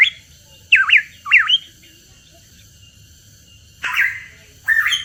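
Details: Hooded pitohui on a lure track: two zigzagging whistled notes close together, a long silence, then two harsher, rasping notes near the end.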